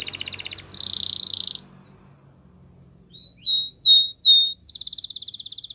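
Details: Canary training song. Two high buzzing rolls, a quiet pause, then three or four clear, sliding whistles, before another rapid roll begins.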